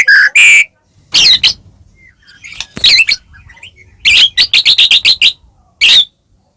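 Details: Caged white-rumped shama singing a provocation song for other shamas: scattered loud whistles and harsh notes, then a fast burst of about eight sharp notes and a final whistle.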